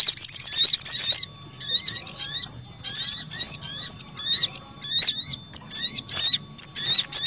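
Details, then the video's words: Lure recording of sogon for drawing in wild birds: an opening fast high chatter, followed by a string of short squeaky slurred phrases, each burst broken by a brief gap, with a faint steady low hum beneath. "Suara Pikat Burung Sogok Ontong Ribut||Pikat Sogon Paling Ampuh"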